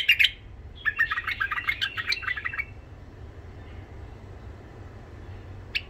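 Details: Tame Iraqi white-eared bulbul, described as having a harsh golden throat, sings to coach young birds: one sharp note, then a long chattering phrase of rapid scratchy notes, followed by quiet and one final note.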